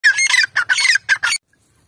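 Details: Female grey francolin, recorded 29 November 2022, gives a quick burst of five loud, harsh, squawking notes packed into about 1.4 seconds, then falls silent.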